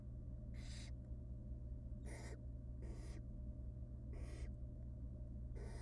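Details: Begging barn owl nestlings in a wild nest box as the female feeds them small pieces of rabbit. Five harsh, hissing bursts at uneven intervals of about one to two seconds, with a steady low hum throughout.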